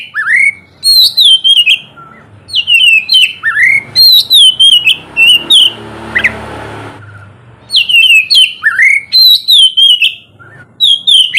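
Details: Oriental magpie-robin singing in the morning, a ngeplong-style song used to prompt lazy birds to sing: loud whistled phrases sliding down from high to mid pitch, repeated rapidly, with a noisy rumbling passage midway.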